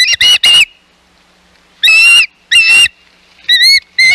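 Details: Ospreys at the Hog Island nest on 11 May 2021, with intruding ospreys present: loud, shrill whistled notes in short bursts, three quick notes, then two longer ones, then two clipped, slightly rising calls, with silent gaps between.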